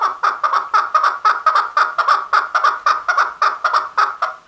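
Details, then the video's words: Continuous chattering from a male chukar, a quick, evenly repeated string of harsh chuck notes of steady loudness. "Chakor Sound | The Best Voice of Chakor/ Chukar | Male Chakor ki Awaz"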